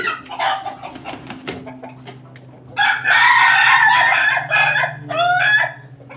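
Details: Pelung and Bangkok crossbreed rooster: scratchy clucks and background noise with a steady hum, then a loud, hoarse crow-like call for about two seconds, followed by a shorter falling note.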